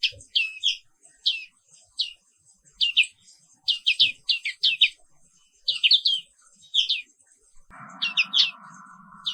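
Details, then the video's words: Black-capped white-eye song recorded in the morning, used to make other birds active and keep singing: dense, high, rolling chirps in repeated bursts. A low humming noise starts near the end. "Suara Terapi Pagi Pleci Papua Wiklus | Auto Aktif & Ngerol Terus"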